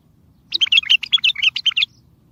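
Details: Powerful bulbul song for prompting mute bulbuls to sing and luring others to answer: a dense, rapid sequence of slurred, chirping notes lasting about one and a half seconds.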